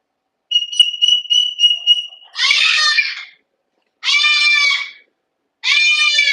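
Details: An indoor aviary cockatoo, kept inside on a 100°F day, gives three loud, harsh, raspy screeches about a second long, one every couple of seconds, after an opening of thin, broken whistled notes.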